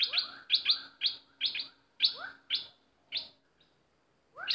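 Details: Bulbul kept as a trapping decoy gives grouped bursts of buzzy chirps paired with lower rising whistles, slowing into spaced notes before a final rising call.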